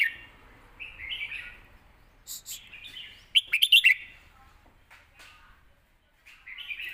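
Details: Caged red-whiskered bulbul song in a scoring-contest style used for training young birds: short warbled phrases near the upper middle range, a burst of bright rapid notes around the middle, then a fresh phrase at the end.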